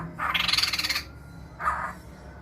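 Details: Masked laughingthrush uttering a loud pulsing rattle of about ten rapid beats lasting under a second, followed by a shorter harsh note, with a faint low hum behind.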